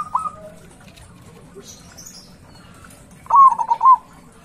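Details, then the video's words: A local-strain zebra dove, a loud, lively singer used as a lure for rival doves, gives a short staccato burst of rapid, rolling coos near the end after a single soft note, with quiet background hum. "Perkutut lokal warna SUARA SUPER - suara besar istimewa"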